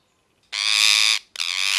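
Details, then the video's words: Parrot giving two long, harsh, grating screeches, the first lasting under a second, the second following after a brief gap. "Parrot Chirping Sounds | Natural Parrot Sounds | Parrot Calling Sounds"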